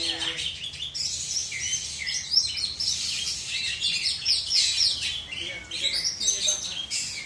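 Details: Black-and-white Oriental magpie-robin from South Aceh, Indonesia, pouring out a dense, unbroken high song of fast whistles, squeaks and trills, mostly steady in loudness.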